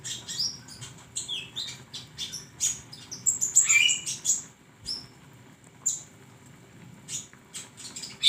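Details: Flowerpecker song for training songbirds, busy runs of very high clicks and twitters with a few longer whistled notes, thinning out toward the end.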